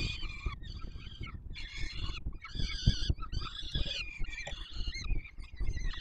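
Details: Peregrine falcon nestlings fed by the adult male, Palace of Culture and Science, Warsaw, Poland, 7 July 2022, give grating, wavering squeals in repeated short bursts separated by brief gaps, with low-pitched rumbling noise throughout.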